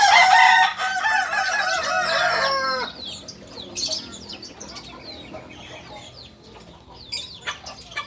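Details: Purebred Kukuak balenggek cock from Solok, West Sumatra, opening with a loud, rich crow that is held for nearly three seconds, then quiet with distant chirps and a few clicks.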